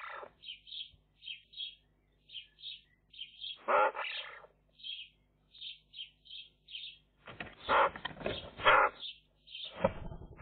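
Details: Magpie chicks calling from their nest, filmed by a nest camera: steady short high notes repeated in an uneven series, broken by one harsh rasping burst and later a longer stretch of loud scratchy, noisy begging.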